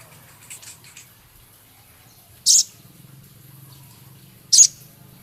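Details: Male Javan cochoa in a training recording for keeping, with Scarlet minivet phrases mixed in; two loud, rough, high chirps two seconds apart after faint chatter, with a low hum underneath.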